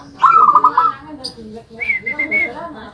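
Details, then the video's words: Caged zebra dove singing in a homemade cage made from a rice container: a rolling, trilled coo followed by a thinner, higher sustained note, with faint background noise. "Perkutut manggung disangkar wadah nasi buatan sendiri | Zebra Dove Unique"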